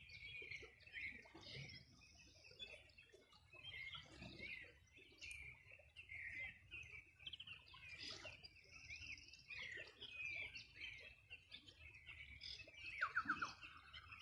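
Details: Birds singing on the bank of the Rio Bueno, Los Ríos Region, on a summer morning in 2020: a soft, distant chorus of high chirps and thin twittering phrases overlapping continuously, with a brief louder trilled note near the end.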